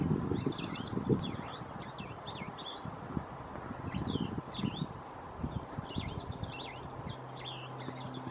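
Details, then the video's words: Cassin's Vireo run-on song at Flagstaff, Arizona, 9 May 2018: short, slurred whistled phrases strung together in quick, nearly continuous bursts, over steady low rumbling wind or background noise. "Cassin's Vireo run-on song"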